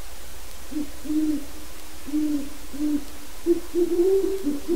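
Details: Wild great horned owl hooting in a yard within its own territory, pausing at the open door of a pen that holds a non-releasable captive breeding pair; a run of deep, soft hoots, some overlapping, with slightly higher hoots near the end.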